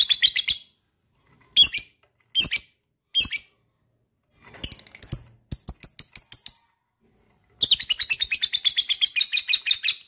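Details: Lovebird meant to set off trilling in other lovebirds: several short, separate high chirps, then a few quick rattled bursts, ending with a long fast run of harsh repeated notes.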